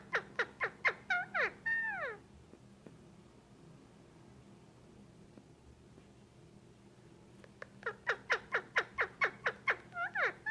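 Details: A male Indian ringneck parakeet about a year and a half old, being petted indoors, gives rapid bursts of short, harsh squawks, about two per second, with a quiet pause between the two bursts.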